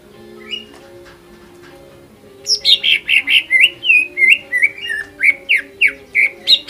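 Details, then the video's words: Greater green leafbird song used as bait to provoke rival leafbirds into singing. After a quiet start with a steady low hum, a fast run of clear, slurred whistles begins, each rising then dropping, repeated about twice a second. "PANCINGAN CUCAK IJO"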